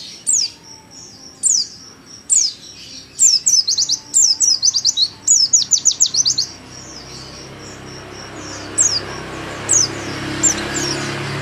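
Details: Oriental white-eye (pleci paud) at home giving nembak-style song, used as a tutor song for birds: high, thin downslurred notes, then a dense burst of rapid rattling trills near the middle, tapering to scattered single chirps.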